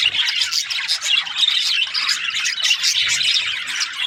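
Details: Chirping of Australian budgies: steady overlapping squawky chatter and high twitters filling the whole stretch, several birds calling at once.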